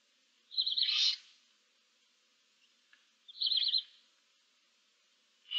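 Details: Barn owl owlets in a nest box with seven chicks, recorded 15 March 2024: two harsh, rasping hisses, each under a second long, separated by about two seconds of quiet.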